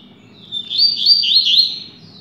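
A double-collared seedeater sings a rapid, bright warbling phrase of slurred, twittering notes lasting just over a second, over a faint low hum.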